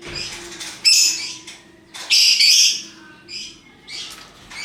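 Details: Colourful lovebirds, hook-billed parrots, in their ngekek calling: harsh, high chattering bursts near one and two seconds, then softer squeaky notes.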